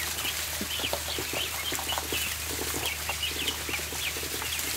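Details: A flock of ducklings feeding indoors in a barn, giving frequent shrill, slightly wavering peeps from several birds at once amid busy pecking and scuffling on the floor.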